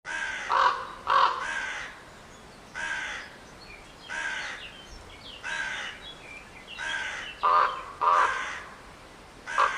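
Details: Crow cawing: harsh, hoarse caws, single or in quick pairs, repeated about every second or two, with a low background hiss between calls.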